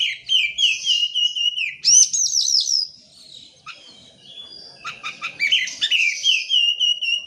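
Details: Oriental magpie-robin singing vigorously in a lure recording meant to prompt silent birds into song: rich, continuous high whistled phrases with falling slurs, rapid trills and sharp chips, briefly pausing midway before resuming strongly.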